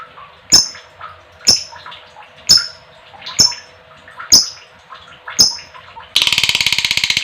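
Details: Female lovebird calling, used as a lure to rouse other lovebirds into long ngekek chatter: sharp piercing shrieks repeated about once a second, then a rapid harsh buzzing chatter at the end.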